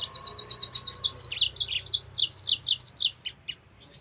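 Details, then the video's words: Lively Yellow-fronted canary song, a recording used to lure and train other canaries: rapid run of sharp, high chips, then dropping, slurred notes and clipped twitters, continuing nearly unbroken for four seconds. "MASTERAN BURUNG MOZAMBIK GACOR"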